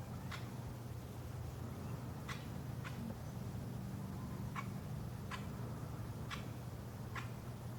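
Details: Crimson-crested woodpecker (Campephilus melanoleucos), knocks.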